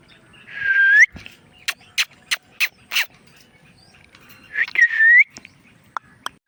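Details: Indian ringneck parrot making sounds: a rising whistle with a squawky edge, several sharp clicks in a row, then the rising whistle again and a few more clicks.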